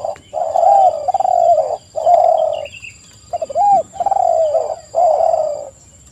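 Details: Spotted dove song: a loud series of long, low, slightly falling coos in even bursts, broken by one sharp hooked note, over a thin steady high whine.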